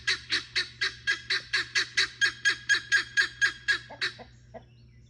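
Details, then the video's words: Guineafowl kept as a farm flock bird, its very loud call a fast run of about sixteen harsh, rasping notes spaced evenly at roughly four per second, trailing off into a few softer, lower notes. "Why guineas are needed despite their annoying sound"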